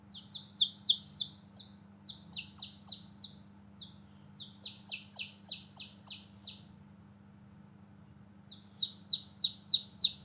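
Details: Newborn domestic chicks playing outdoors give loud, high peeps, each a quick downward-sliding note, in rapid runs of about three per second with short pauses between bursts; a steady low hum runs underneath.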